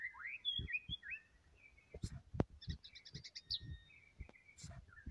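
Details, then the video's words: Vigorous white-rumped shama song, swooping whistles and quick warbles, then a fast rattling burst of repeated high notes and a final long whistle, amid sharp clicks and thuds. "KICAUAN BURUNG MURAI BATU PUKUL RATA GACOR"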